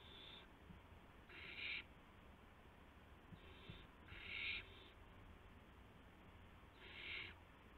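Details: Owlets at a nest shortly after midnight on March 19, 2016, as adults bring prey. Scattered rasping hiss-screeches, several fainter and three louder ones spaced about three seconds apart, with soft clicks and a low hum between.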